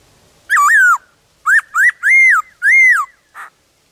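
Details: Forest black-throated laughingthrush singing many voices in the wild, in loud, pure whistles: a wavering note followed by four arched, rising-and-falling phrases, then a short soft note.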